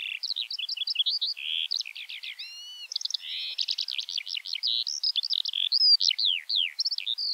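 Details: Skylark song, an energetic jumble of fast trills, repeated chirps and a few drawn-out whistles, continuous and richly varied, with faint background noise.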